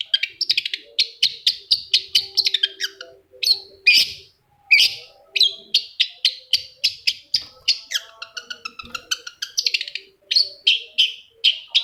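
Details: Long-tailed shrike singing to provoke a rival shrike into song: a fast, nearly continuous stream of short chirping and scratchy notes, several per second, with a brief pause and a lower warbled passage near the end.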